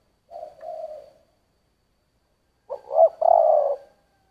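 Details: Spotted dove cooing in the giọng thổ style: a soft, level hum, a pause, then a louder three-part phrase of two quick rising notes and a long buzzy coo. No other sounds.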